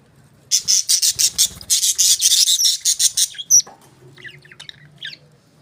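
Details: Budgerigar chirping as a fast even series of harsh buzzy notes for about three seconds, then a sharp squeak and softer scattered chatter.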